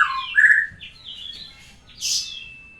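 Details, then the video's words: After moulting, a white-rumped shama learning fresh sounds gives brief slurred whistles, then a bright burst and a long, thin, steady whistle. "belajar bunyi baru selesai dari mabung burung Moray batu"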